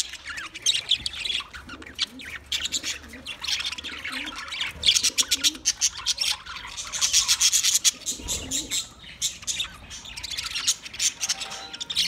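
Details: Around twenty budgerigar pairs in loud group chatter, fast trains of high buzzy chirps and squawks rising and falling in intensity, with some soft rustling.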